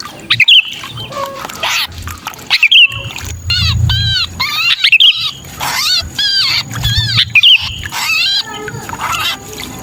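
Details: Distress calls of a trapped sooty-headed bulbul, a lure for bulbuls that are slow to come down: rapid series of harsh, ringing, arched squawks broken by brief sharp whistles, over a steady low hum.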